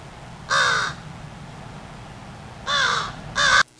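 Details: A crow alarm call at a fox on the ground, angry in tone: one harsh arched caw, a pause of nearly two seconds, then two more caws in quick succession before a sudden cut.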